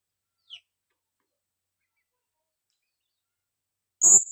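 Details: Female blue-crowned hanging parrot kept as a lure bird: a faint short chip early, then after a long pause one loud, shrill, high-pitched note with a soft low thump beneath it.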